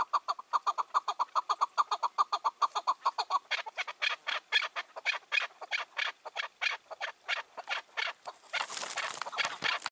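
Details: On a June 2023 evening a five- to six-year-old wild chukar partridge, king of its area, gives a fast run of clucking notes that turns into harsh loud calls, ending in a noisy rasping burst.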